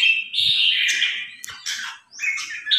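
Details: Red-whiskered bulbul newly acquired, trained by being set against a top provincial-ranked bulbul; a loud run of bright, slurred warbled notes, then short chirpy phrases after a brief pause, with faint low thumps beneath.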